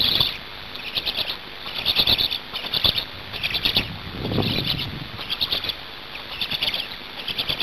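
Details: Black storks at the nest during feeding in Hungary, 5 May 2019, 17:02; high squeaky chirping bursts of rapid stuttering notes repeat through the clip over a steady hiss, with a lower rumbling thud midway.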